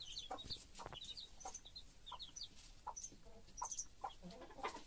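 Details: Chicks peep loudly and rapidly in high, thin notes around their mother hen, whose short clucks sound at irregular intervals beneath them.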